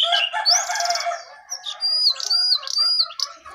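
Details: Perched atop its cage, a jongkangan delivers a loud, rich burst of mixed harsh and whistled notes, then a string of sharp, slurred high whistles.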